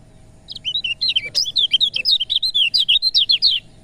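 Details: Singing lemon-bellied white-eye, used to spur birds that are reluctant to sing: a dense, rapid stream of high twittering whistles and chirps, roughly four notes per second-quarter, continuous for three seconds; a faint low hum underneath.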